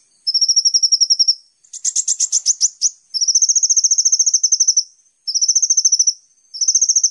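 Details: Kolibri ninja sunbird on a training lure for songbirds: clean, very rapid high trills in bursts of about one to one and a half seconds, separated by short gaps, with one harsher buzzy burst in the middle.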